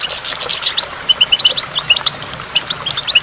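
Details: Near a waterfall, a goldfinch opens with a dense burst of buzzy twitters, then continues with separate clear, ringing chirps and short slurred notes, high-pitched over soft flowing water.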